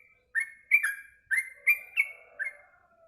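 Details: Yellow-vented bulbul, a caged bird singing lively after a meal of mealworms, gives a quick string of six bright, bubbly whistled notes, each dropping slightly in pitch.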